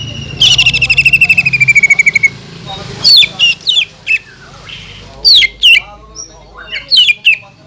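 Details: Green leafbird in energetic full song, used as a lure to stir rival birds into singing, with mimicked kingfisher, magpie-robin and white-rumped shama sounds: a fast buzzy trill of about two seconds, then sharp whistled, rising and falling notes in quick bursts.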